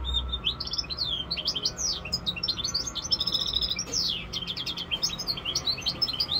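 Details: Five-month-old European goldfinch mule, a hybrid, sings a fast, continuous twittering song of high chirps, trills and sweeping notes, with a low steady hum in the room.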